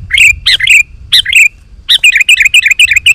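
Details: Energetic sooty-headed bulbul singing to draw wild birds to reply; loud chattering notes with bubbly downward slurs, then a fast run of rapid repeated chirps.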